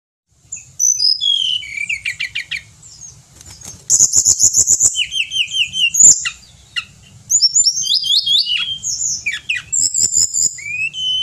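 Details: Pied bushchat in loud, energetic song: a varied run of high whistles, fast downslurred notes, dense buzzy trills and rapid repeated clicks, in bursts with short pauses, over faint low hum.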